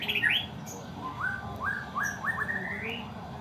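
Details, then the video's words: White-rumped shama kept in a cage, singing a series of upslurred whistles that step upward in pitch, with a few high sharp notes and a low background hum. "suara naikin emosi muray batu"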